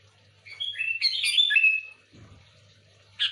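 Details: Bubbling phrase from a sooty-headed bulbul, a loud lure song of quick slurred whistles rising and falling, then a short gap and one sharp closing note; a faint low hum runs underneath.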